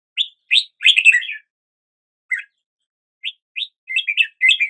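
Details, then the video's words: Red-whiskered bulbul singing early in the day. Two crisp upslurred whistles lead into a fast warbled burst. After a long pause come a lone note, two more whistles and a final chattering phrase. "Red whiskered Bulbul Song"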